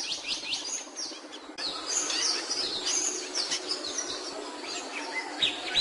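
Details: A capuchino seedeater sings a run of bright, high, slurred whistles and twitters. The phrases become busier after a brief quieter start, with a hissing noise beneath.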